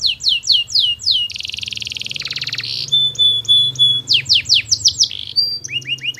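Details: Canary song played as a long training track to prompt other canaries to answer: fast repeated descending whistled notes, then a dense buzzy trill, pure steady whistles, and more falling chirp series, with a low hum underneath.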